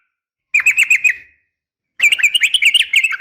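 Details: Female yellow-vented bulbul's fighting call for drawing a male's response: a short quick series of chirps, a pause, then a longer, busier stream of bright, lively notes.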